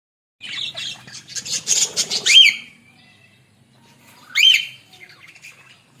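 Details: Australian parrots in a village setting: a burst of scratchy, high chattering with wing flutter, then two sharp rising chirp-squawks about two seconds apart, with quiet pauses between them.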